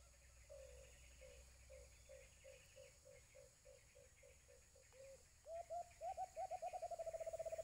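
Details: White-eared brown dove (Alimokun) in Antipolo, Philippines, where birds are caught with cage traps. Low hollow notes repeat about three per second, then a louder run speeds up into a rapid rolling series. Faint high chirps and insects sound behind it.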